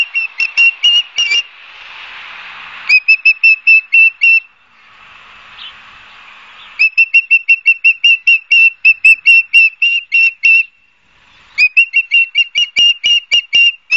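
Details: Ospreys at a Barnegat Light, New Jersey nest, recorded 12 September 2022 by nest camera, give bursts of rapid whistled chirps separated by pauses filled with soft hissing wind noise, then resume the piping run.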